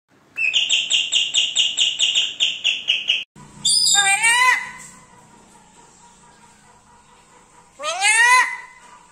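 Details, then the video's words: Pet black-capped lory with a sweet voice, talking like this for the first time: a fast run of about a dozen sharp repeated high chirps, then two rich, rising-falling, voice-like phrases separated by quiet. "parrot talking ഇങ്ങനെ സംസാരിക്കണത് ഫസ്റ്റ് ആണ് black cap Lori sweet voice lori keet sweet talking"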